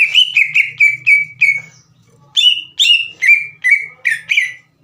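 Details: Green leafbird, a singing caged bird used as a lure to provoke slow-to-heat rival birds into answering, gives loud sharp notes with bright harmonics, each dropping then holding near one pitch, in a rapid series with a short pause midway.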